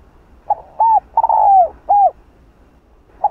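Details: Spotted dove in the 'Hạp Bổi' voice style, mixing calling coos, urging notes and soft coos meant to provoke other doves: short low hoots, then a long mellow coo sliding downward, followed by an arched note and a final brief hoot.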